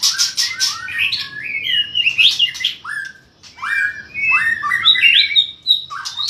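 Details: White-rumped shama (murai batu) fired up in combative song, flicking its tail hard: loud varied phrases of rising and falling whistles and sharp slurred notes, a brief pause near the middle, then more rapid whistled bursts.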